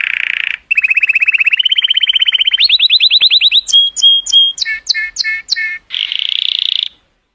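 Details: Colour canary performing song to stimulate females: buzzy opening, long rapid trill rising in steps, clear whistles with high flicks, a chattering phrase and a closing buzzy roll.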